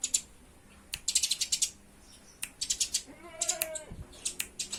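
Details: Eurasian tree sparrows fighting give short, sharp volleys of high chirps, while a drawn-out meow-like cry sounds near the end.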